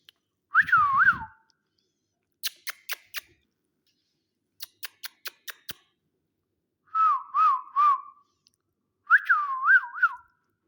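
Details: Green ring-necked parakeet kept as a pet, giving short wavy whistled phrases of two to three rising-and-falling notes, alternating with runs of crisp snapping clicks and a low rumble at the start.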